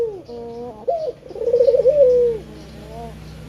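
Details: Male spotted dove cooing as a lure to set other birds singing: soft opening notes, then a loud rolling, wavering coo that slides down into a drawn-out falling tone, followed by quiet double notes.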